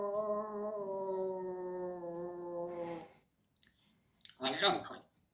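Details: A pet grey parrot (Psittacus erithacus) sings one steady, hummed note for about three seconds with a slight drop in pitch, then gives a breathy hiss and a short harsh burst.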